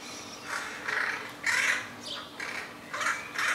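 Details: Juvenile crows perched in a tree among houses call repeatedly: a run of about six rasping, drawn-out squawks, some louder and overlapping, with brief gaps between them.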